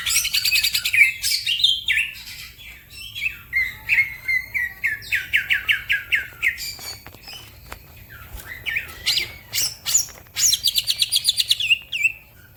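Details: Green leafbird singing hard, prompting other birds to sing too: long varied stretches of rapid trilled chirps, slurred whistles and buzzy rattles, with repeated pulsed series and other birds twittering around it.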